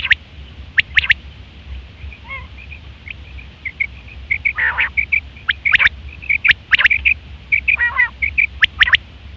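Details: Common quail in September 2023, a call used for hunting and mating: scattered sharp clipped notes and triplets mixed with soft piping tones and a few lower rasping sounds, fairly busy and irregular.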